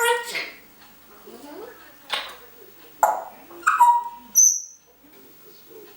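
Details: Pet African grey parrot, a chatty bird kept indoors and out of her cage most of the day, filmed by a hidden camera; bursts of speech-like chatter, then a clear pure whistle sliding high, between quiet pauses.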